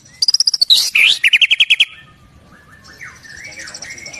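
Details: White-rumped shama from Indonesia in lively song with a full repertoire of filler phrases: rapid ticking notes, a dense series of bright repeated chirps, then softer whistled rising and falling phrases.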